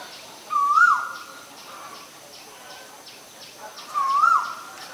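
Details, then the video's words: Male Asian koel calling twice, roughly three and a half seconds apart. Each call is a smooth whistled note that climbs upward and ends with a quick downturn, with soft background hiss. "นกกาเหว่าตัวผู้ (Asian koel, Male)"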